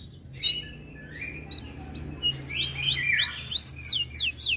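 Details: Canary song said to turn aggressive when other birds sing: scattered high chips at first, then a run of quick rising-falling whistled notes and steep downslurs near the end.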